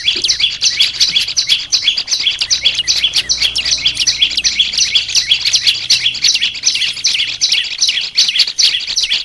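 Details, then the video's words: Olive-backed tailorbird, a small green-headed bird kept as a pet, in a song-training recording: a long, unbroken stream of quick, piercing chirps and stuttering trills, fairly uneven in rhythm. "Melatih suara burung prenjak lumut biar gacor"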